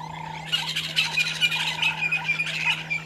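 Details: Squeaky, scratchy chatter from a Violet-backed starling pair at their nesting tree near Gowrie dam, Djuma Game Reserve, South Africa, early morning 13 December 2022; after a brief lull, fast harsh notes repeat over a constant low hum.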